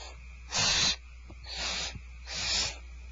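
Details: Barn owls at Starr Ranch during dinner, 2/1/12. One strong raspy hiss is followed by two fainter, drawn-out hisses, with short gaps between them.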